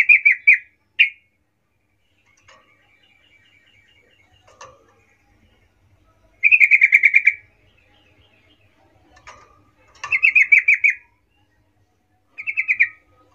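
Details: Lure song of a sooty-headed bulbul singing steadily to call companions: several short bursts of fast, bright trilled notes separated by pauses, with faint scattered chirps between them.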